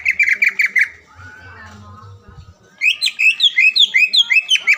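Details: Green leafbird lure song meant to anger a rival into singing: a burst of loud buzzy notes, a quiet gap with low murmurs, then a fast run of sharp rising chirps.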